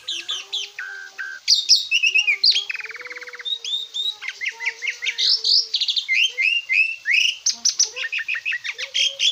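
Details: Asian pied starling song used as a master recording for training cage birds: a varied run of sharp whistled notes, rapid buzzy trills and repeated chattering phrases, with a low steady tone running beneath much of it.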